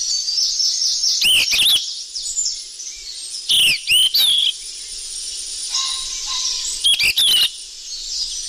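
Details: Noisy lure call of a golden flycatcher: groups of upslurred whistled chirps with harsh clicks in three main bursts, steady hiss throughout, a faint low tone midway.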